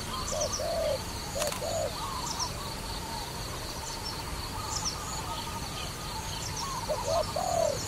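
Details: A trapping dove utters two brief bursts of low coos, one near the start and one at the end, separated by a long quiet stretch with thin high chirps from other birds.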